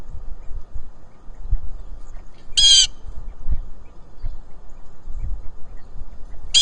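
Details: A blue jay on a farm gives one harsh, screechy jeer, and a second starts as the recording ends, over steady low wind rumble.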